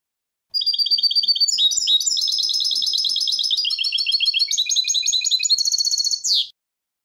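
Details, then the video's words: Loud, unbroken goldfinch song full of high, tinkling trills and buzzy twitters that change pattern every second or so, ending in a sharp downward-sweeping note. "Goldfinch Song CD - Clear Birdsong for Goldfinches"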